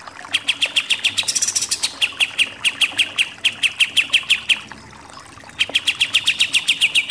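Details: Kapas tembak, the pied triller, in shooting 'nembak-nembak' style. Rapid bursts of clipped, falling high notes are broken by a few seconds' lull, then the quick chipping resumes to the end.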